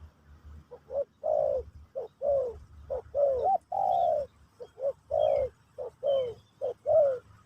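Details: Pesom/Kacuk-style spotted dove song used to teach a new bird, a steady series of soft low coos, short notes alternating with longer slurred ones, about a dozen in seven seconds, faint high chirps behind.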